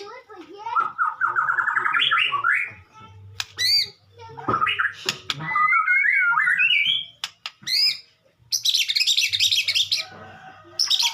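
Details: Morning sunning white-rumped shama pouring out a varied song of rising whistled runs, sharp clicks and a buzzy high trill near the end, with faint low hum and background noise.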